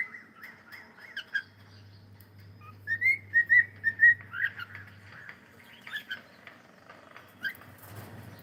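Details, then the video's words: Singing cockatiel while playing: a string of quick whistled notes, a burst of bright repeated slurs in the middle, then softer scattered chirps over a faint steady hum. "Cute Cockatiel singing and sound and playing"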